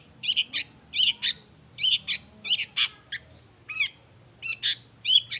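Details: Lively long-tailed shrike song meant to spur other shrikes to answer; rasping, buzzy phrases delivered in pairs, broken by brief downslurred notes.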